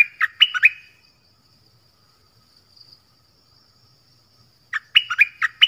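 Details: Dok Taeng bird singing, described as performing many song phrases: two quick bursts of bright whistled notes dropping from high to mid pitch, separated by about four seconds of quiet with a faint steady insect-like hum.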